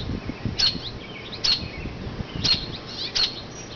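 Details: Mother robin calling from a branch away from her low nest in an oak, making noise to distract passers-by; sharp high chirps given singly and in pairs about a second apart, over faint low rumble.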